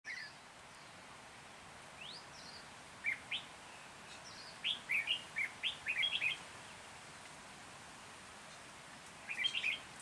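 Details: Red-whiskered bulbul decoy singing to lure birds into a trap, Hòa Bình, 14 January 2021; quiet bursts of quick high chirpy notes, a scattered run in the middle and another burst at the end, over steady low background hiss.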